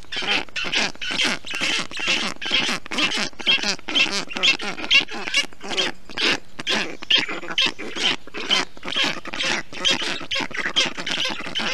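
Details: Nestling black storks in Estonia, June 2021, calling as an adult cools the nest in summer heat with water and wet moss; a steady stream of rasping, hissy calls, roughly two per second, with short gaps between groups.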